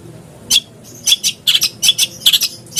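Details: Long-tailed shrike lure song for prompting a caged bird to sing, with sharp, rasping chips given singly and in quick pairs, spaced by short pauses.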